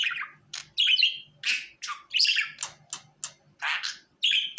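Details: Budgerigar calls meant to coax the bird onto the hand: separate chirps and squeaky warbled notes about a second apart, some sliding downward, with short silent gaps.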